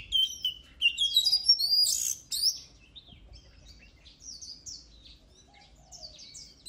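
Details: Oriental magpie-robin song used to train singing birds for competition: bursts of varied, clear whistled notes with rising and falling slurs, loudest early, then softer scattered phrases over faint low hum.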